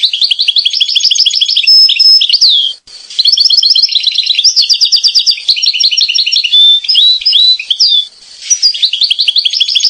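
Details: A Corsican European goldfinch sings a long, continuous, high twittering song of rapid tinkling trills, liquid chirps and short buzzy slurred notes, with a brief pause near the third second.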